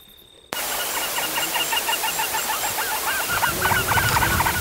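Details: Three-banded Courser (Rhinoptilus cinctus), a largely nocturnal ground bird of dry open woodland and savanna in eastern and southern Africa, gives a fast chattering kiki or chaka-like series, about four notes per second, rising and falling in pitch, over steady hiss.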